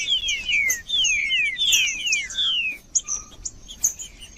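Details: Trinca-ferro, the green-winged saltator, in song meant to warm up a cold bird: quick run of loud downward-sliding whistles for under three seconds, then quieter high chirps and a faint low whistle.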